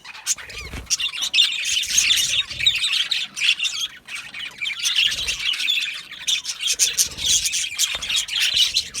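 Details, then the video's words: Aviary budgies in a colony chatter in bursts, high scratchy warbling and squawky chirps swelling and easing, with a brief quieter dip midway. "Budgie parrot chirping sounds"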